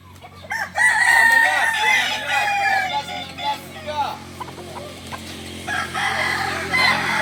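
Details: Roosters of the kokok balenggek breed crowing together at a joint practice in Solok; loud layered crows start near the first second, a few longer held notes stand out among the busy overlapping calls.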